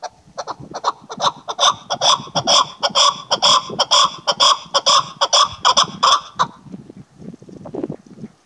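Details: Female chukar partridge during hunting season; a loud rapid series of harsh clucking chuk notes, about two per second, building in a steady run for six seconds before trailing off into scattered softer clucks.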